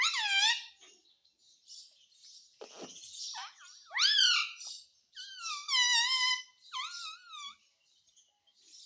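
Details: Talking Indian ringneck parakeet using Hindi words such as "mummy" and "mitthu"; wavering harmonic voice-like phrases, some rising sharply, separated by short gaps and a brief rasp.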